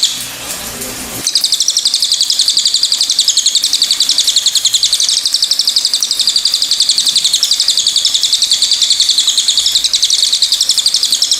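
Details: High, rapid chatter from a pied fantail, a continuous run of evenly pulsed bright notes after a brief low noise at the start.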